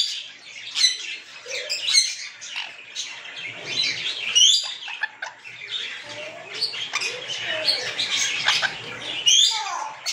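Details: A sun conure being fed mango gives scratchy chirps and short harsh squawks among clicking, rustling sounds.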